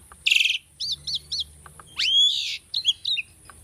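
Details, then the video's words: Singing tame Asian starling used for bird training: a harsh buzzy burst, three quick arched chirps, then a long loud rising whistle and chattered notes, soft low hum in the background. "asian starling singing video - starling bird training song"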